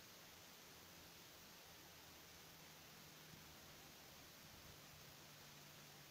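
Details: Quiet, even hiss and faint low hum fill the recording, with no animal calls.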